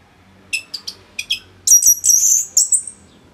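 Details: Orange-headed thrush, North Bali, sung for tutoring other birds: several soft, spaced chirps, then a loud stream of very high, thin, sustained whistles that fades out.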